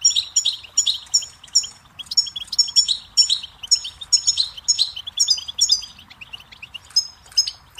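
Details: A goldfinch sings steadily on a song tape meant for teaching chicks and songbirds: dense, tinkling twitters and rolling trills follow one another rapidly, high-pitched and lively, over a quiet low rumble.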